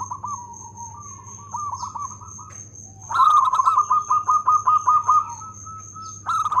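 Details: Local zebra dove singing actively with a loud voice and good rhythm: soft low cooing at first, then a loud burst of rapid, evenly pulsed staccato coos that end in a drawn-out note. A steady high whine and a low hum run underneath.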